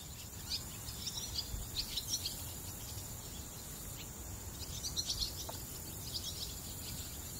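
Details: Semipalmated Sandpipers foraging at Edwin B. Forsythe National Wildlife Refuge, Brigantine unit, Atlantic County, New Jersey, give short, high, scratchy chirps in two loose bursts over a steady high insect-like hiss and low wind rumble.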